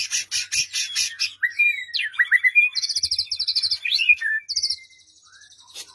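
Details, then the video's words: White-rumped shama singing as a lure for a quiet bird: fast high rattling trills at the start, swooping whistles, then repeated high buzzy trill bursts fading to near silence. "Murai Batu Diam Dengar Kicauan ini Seketika Langsung Nyaut GACOR"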